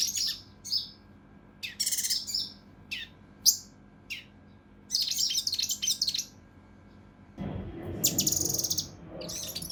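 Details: Mountain leaf warbler (cucak rante mas) in the agitated 'kinoi emosi' style with rough, rapid 'tembakan' phrases for training competition birds: scattered sharp high chirps and short rattles, with a low rumbling noise near the end.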